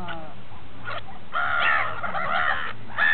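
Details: A few gulls feeding near St. Petersburg at Repino give scattered calls, then a longer drawn-out, nasal, wailing cry and a final sharp squeal against low background rumble.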